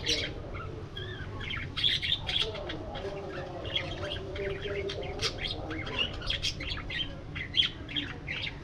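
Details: Many budgies in an aviary keep up continuous chirping, with quick bright tweets and scratchy warbles overlapping throughout and a few louder peaks. A faint low drone sits in the background.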